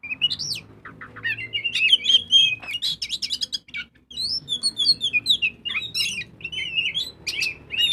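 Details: Magpie-robin (kacer) lure song to set other birds singing: dense, rapid chattering and whistled notes in a busy stream, with a faint low hum underneath.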